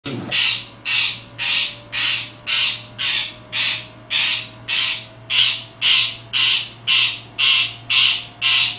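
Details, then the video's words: A pet parakeet that barks to get attention gives harsh, raspy bark-like squawks, about two per second in a steady run of sixteen, over a faint low hum and a thin whine. "Barking Parrot"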